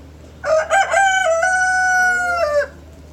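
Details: Rooster crowing in the morning: a loud, harmonic cock-a-doodle-doo opening with short choppy notes, then a long sustained level note held for over a second before dropping away, over a faint low hum.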